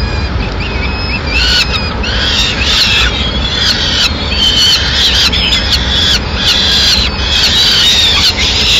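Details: Female peregrine falcon bringing a pigeon to the nest in Madrid, 6 May 2016; harsh, raspy calls repeat in quick bursts from the second second onward, some slightly rising, over a steady low rumble.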